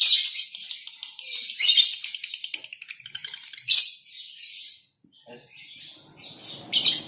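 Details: Lovebird colony with a female in konslet condition: long stretches of dense, high, rapidly trilled and scratchy chattering, pulsing in quick bursts, a brief pause near five seconds, then renewed shrill chatter; faint background noise.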